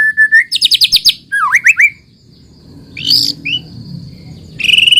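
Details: White-rumped shama song meant as a lure to get other shamas singing: a steady whistle, a rapid buzzy trill, swooping slurred notes, then a quieter gap with faint background hum before a high ringing phrase.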